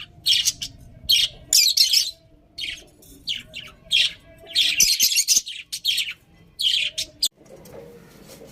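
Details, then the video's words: A group of budgerigars chirps steadily, scratchy high-pitched notes in clustered runs and doublets, with a faint low hum throughout and a soft rustle at the close. "Cute Budgies Chirping Sounds"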